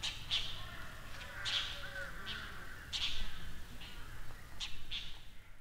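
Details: Dollarbird in Kangwon-do, South Korea, giving harsh, rasping chack notes in scattered short bursts, about one every second or two, over a steady low rumble.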